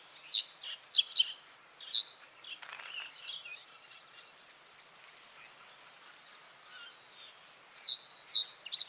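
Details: Common reed bunting song: short bursts of three or four sharp, high chipping notes, a pause of several seconds filled with faint, lower twittering from other birds, then another brisk, clipped phrase near the end.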